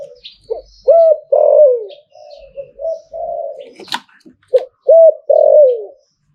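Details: Zebra dove singing its 'Liu Tan' style song: repeated phrases of quick hooked notes and loud rolling descending coos, with softer coos between and a brief sharp click midway.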